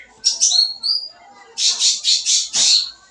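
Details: Sooty-headed bulbul in lively, full song, recorded as a lure for young birds: a couple of high whistled slurs, then five loud, harsh, buzzy notes given in quick even succession.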